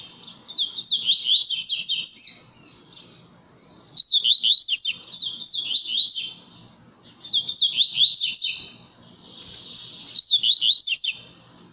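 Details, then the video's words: Strong 'tui tui zel zel' song of a blue-black grassquit competing against seedeaters. Four high, buzzy phrases of rapid downslurred notes recur roughly every three seconds, with faint low background murmur between them. "Tiziu Tui tui zel zel Forte Disputando com os Coleiros!"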